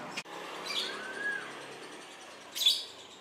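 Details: A captive-born lovebird calling while on heat gives two short, shrill, high chirps about two seconds apart, with a faint thin whistle between them over a soft indoor hiss.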